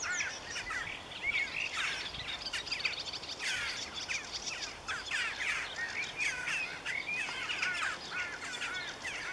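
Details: Energetic marsh warbler song full of mimicked fragments: fast sequences of rising and falling whistles, scratchy chatter and repeated chip notes, dense and unbroken across the stretch, set against soft outdoor background noise.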